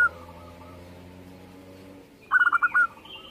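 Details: Zebra dove, a local Indonesian perkutut, heard after a low steady hum dies away. It gives one brief rapid phrase of about five clipped cooing notes, with faint higher sounds afterwards.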